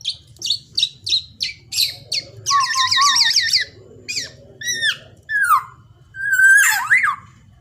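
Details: Young black-naped oriole used as a lure bird, giving a full varied song: rapid sharp chirps, then a run of buzzy wavering notes, a low whistled slur and harsh downward notes, ending in a loud nasal wavering call; a low hum underneath.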